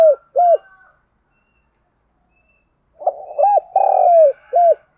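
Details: Spotted dove cooing to lure other doves: two short hooked coos, a pause, then a fuller phrase of a murmured lead-in, clipped coos, a long slurred falling note and a final short coo, faint birds in the background.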